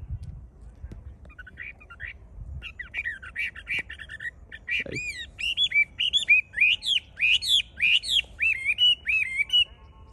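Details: A kept Chinese hwamei singing outdoors in Hai Phong on 25 January 2024, in cold wind at 8–10°C, gives a loud, rich run of varied whistled phrases, slurred up and down in quick bursts, over low wind rumble.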